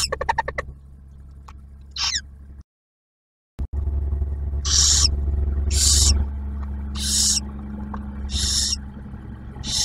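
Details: Barn owl nest box on Ottawa National Wildlife Refuge, Ohio, male bringing food for the female and newly hatched owlet; brief chittering and a thin note, a gap, then repeated rasping hisses over a steady low hum.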